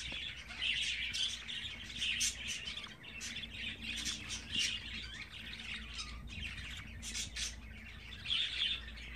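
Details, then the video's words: Twenty-four-day-old pet budgerigar chicks: harsh squawky chirps in clusters, grating and buzzy, with a steady low hum underneath. "Muhabbet Kuşu Serseri'nin Bebekleri #24.GÜN"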